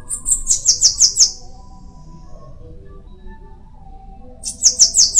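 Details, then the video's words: Bananaquit singing two bursts of very high, thin, rapid chirps, five or six notes each, separated by a quiet pause of about three seconds; faint low background hum. "Canto de sibite"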